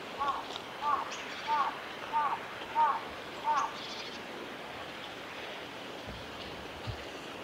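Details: A male pale thrush, filmed 5 March 2022 in the nature observation garden of a nature conservation centre, gives six short, low double notes, about one every two-thirds of a second, over a steady hiss like rushing water or wind.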